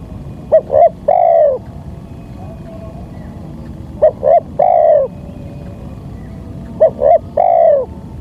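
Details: Lure tape of a spotted dove meant to draw wild birds down: three phrases of two quick soft notes and a drawn-out warm coo, about every three seconds, against low steady hiss.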